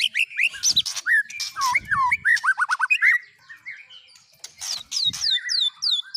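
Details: Varied white-rumped shama song used as fill-in with cililin, canary and lovebird elements: jumbled warbling chirps and squeaks, a short pause, then repeated high curling whistles.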